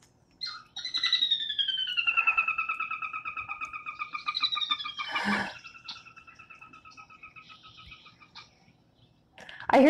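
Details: A Sora, one of Wisconsin's secretive marsh birds, very vocal and heard at dawn, dusk and during the day, gives its whinny: a long, fast run of high, squealing notes sliding steadily downward and fading over about eight seconds, with a brief click midway.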